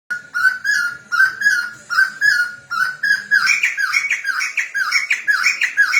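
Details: Chinese hwamei song used as a tutor recording to get a bird singing: a loud, clear slurred whistle repeated about every half second, then quicker, higher rising and falling whistled phrases.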